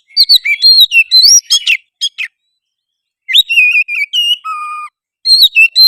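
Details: Oriental magpie-robin lure song in energetic gacor style, meant to trigger another bird to sing, fight and fan its tail; rapid clear whistles and rising slurs, a pause, then long level and falling whistled notes.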